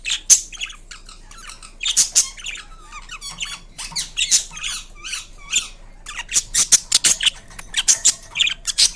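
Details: A pet Indian ringneck, a rose-ringed parakeet (Psittacula krameri), gives harsh, high-pitched squawks and chattering screeches in quick bursts, with brief pauses between runs of calls, indoors.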